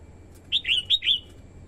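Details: A female red-whiskered bulbul, singing to stimulate the male and attract wild birds, delivers one quick phrase of four full, fluty whistles, rising then falling, against a quiet background.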